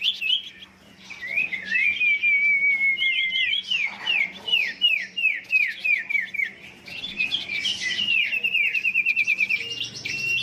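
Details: Competitive song from a fired-up Huyt Co decoy bird: a long rapid series of repeated downslurred whistled notes, then a fast rattling trill of high chirps.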